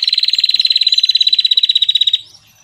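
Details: Bar-winged prinia sound used as a lure for trapping birds: a loud, rapid, buzzy pulsed trill of about thirty evenly spaced notes lasting just over two seconds, then fading into faint chirps.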